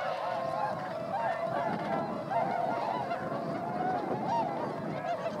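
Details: Wintering swans, 905 counted, flying over rice fields at Motono in Inzai, Chiba, Japan, December 2014; a thick wash of honking from many birds, individual bugled notes rising and dipping within the chorus.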